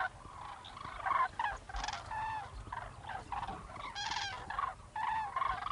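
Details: Common cranes calling as a flock in Gujarat, India, where they winter: a steady stream of overlapping, buzzy trumpeting notes from many birds, some louder bursts standing out over a continuous murmur.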